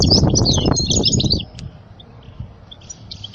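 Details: European goldfinch song meant for tutoring young goldfinches: a brief burst of high, tinkling twitters over loud low rumbling and knocking, then faint distant twittering after it fades.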